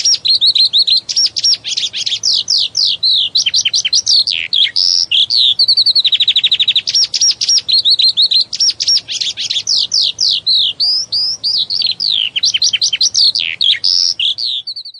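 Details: Unbroken, fast-paced skylark song: a torrent of high twittering notes, sweeping whistles and dry rattling trills that switch rapidly from one phrase to the next, with a brief buzzy stretch in the middle and no background noise.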